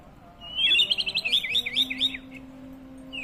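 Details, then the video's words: White-rumped shama song used as a lure to make birds answer: a rapid burst of about a dozen sharp, slurred whistled notes lasting under two seconds, then a short sweeping whistle, over a steady low hum. "Auto Bikin Murai Emosi/Nyaut..!! Pancingan Suara Murai Batu"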